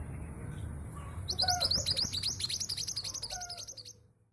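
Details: A local East Javan female long-tailed sibia, used to prompt stalled males into singing, delivers a long rapid high-pitched chattering trill of nearly three seconds with soft lower whistled notes mixed in, then falls silent.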